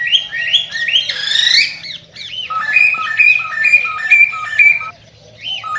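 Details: Singing cockatiel, a recording meant to excite pairs into mating: a squawky rising phrase, then a long run of clipped two-tone whistles alternating high and low, with a faint electrical hum beneath.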